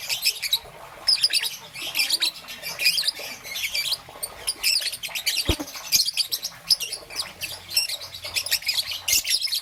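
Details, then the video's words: High, strident chirps from a green and yellow young peach-faced lovebird in the morning, steady bursts of rapid scratchy notes with a single sharp click midway. "Lovebird's melodious chirping sound - Young Peach Face Lovebird"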